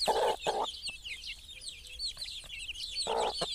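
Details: Hen accompanied by chicks: a couple of deep clucks at the start and one more near the end, with nonstop high-pitched chick peeps throughout.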